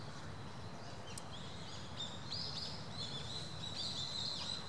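Eurasian teal giving soft, high, ringing whistled notes, several in quick succession, over a steady low rumble of wind or water.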